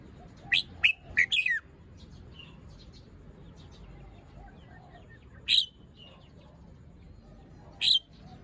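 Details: A caged young red-whiskered bulbul singing in the morning gives a phrase of four quick, bright whistled notes, then two single sharp notes several seconds apart.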